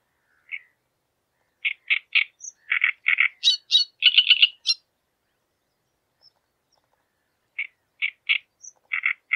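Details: A displaying great reed warbler sings harsh, croaking notes repeated in quick twos and threes, with a higher squeaky burst mid-phrase, then a pause before the grating phrases resume.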